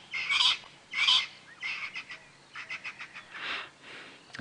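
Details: Natal spurfowl (Pternistis natalensis) on a road, perhaps avoiding wet grass, at sunrise about 5:30 AM, 12 March 2017, autumn, South African game reserve: a 'morning squawk' of two loud raspy bursts, then quicker, softer scratchy notes, about 1.5 per second.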